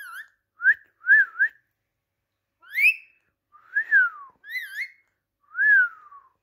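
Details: Indian ringneck parakeet talking: a string of short whistled syllables that rise and fall, some doubled and some sliding downward, spaced irregularly with brief pauses between phrases.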